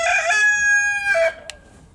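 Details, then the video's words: A red junglefowl rooster (Gallus gallus gallus) gives one loud, harsh, strongly harmonic crow lasting over a second, ending with a brief drop; a short click follows. "Bankivahahn krähend"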